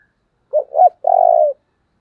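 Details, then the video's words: A decoy spotted dove, used to lure and stir wild birds, gives one clear low phrase: two brief coos, a tiny gap, then a sustained rolling coo lasting about half a second. "Cu mồi thúc vầy chịu gì nổi"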